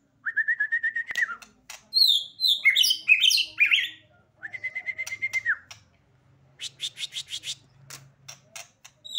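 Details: White-rumped shama (murai batu), a beginner bird singing vigorously (gacor): long steady whistled notes, rapid ringing trills and a burst of varied, swooping high phrases, with short pauses between strophes.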